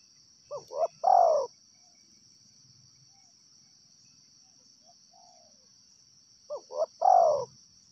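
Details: Wild tekukur (spotted dove) delivers its three-part coo, two short notes and a long falling coo, then pauses about five seconds before repeating, over a persistent insect whine.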